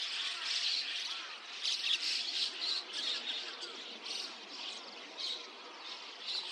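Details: At 5 a.m. on 29 June 2026 in Rikuzentakata's Takata-cho, Japan, white-cheeked starlings flocking with chestnut-cheeked starlings give harsh, scratchy squawks and chirps in rapid uneven bursts, several per second, against a constant background of more distant flock chatter.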